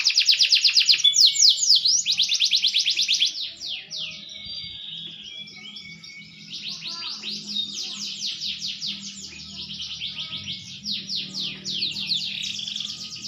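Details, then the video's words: Maturing green canary sings long loud rolling trills, pauses with softer twittering, then resumes fast repeated sweeping notes; a low steady hum runs underneath. "burung kenari hijau makin dewasa wakin baik kicauan nya"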